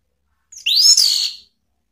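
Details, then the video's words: Orange-headed thrush giving a lure call to provoke rivals: one loud, high, slurred note that sweeps up and then eases down, under a second long. "SUITAN ANIS MERAH MEMANCING LAWAN JADI NGEPLONG"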